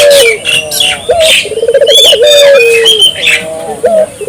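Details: Vigorously calling Barbary dove used to prompt nearby local doves to answer: mellow, low coos, a quick rolling burr, then a long steady note sliding down; small birds twitter and whistle higher up.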